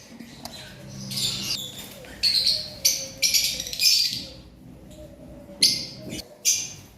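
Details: Lovebirds in a breeding aviary in Pakistan give harsh, shrill, high chirps in short bursts, about eight in seven seconds, over a low background hum and faint voices.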